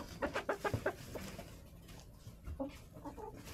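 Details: Hens in a snowy backyard coop in January, sub-freezing weather: a quick run of about six rhythmic clucks, then softer scattered clucks over a low steady hum.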